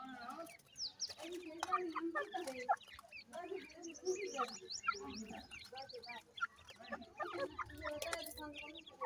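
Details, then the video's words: Francolin (teetar) chicks feeding, a busy mix of low clucking notes and many short high chirps that rise and fall, with occasional clicks. "teetar chicks bird flying with feed"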